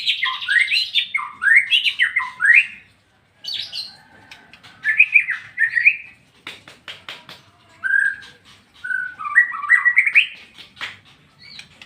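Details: A white-rumped shama sings ngeplong phrases in bursts: a loud run of swooping whistles, pauses, then shorter whistled bursts separated by faint clicks and gaps.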